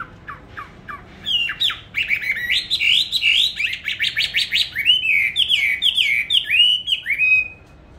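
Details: Caged songbird, bought on 19 May 2020 and kept on steady feed, said to sing in any setting at any hour. A few short rising notes lead into a loud, fast run of warbled, looping whistles, rising and falling continuously.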